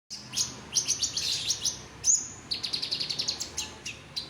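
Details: Olive-backed sunbird, a caged songbird in full song: rapid high thin chirps and trills, fast runs of sharp repeated notes with brief whistled tones, all very high-pitched with little else heard.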